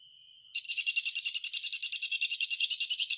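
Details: A white-rumped shama, its song used to stir silent shamas into song: after a thin steady tone, a fast pulsing trill of about three notes per second, repeated evenly until the end.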